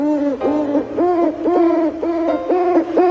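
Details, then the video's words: An owl, said to be angry, gives a run of short, hollow mid-pitched hoots, about two a second, each slightly bent, with faint music behind. "angry owl sound | Owl sound"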